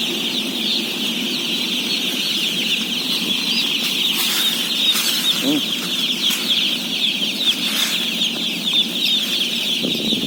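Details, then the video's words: Thousands of day-old chicks, about 17,000 fed at once, peep together in an unbroken shrill chorus; a few brief bursts of rustling or clatter and a low murmur run beneath the high chirping. "BABY CHICKEN SOUNDS"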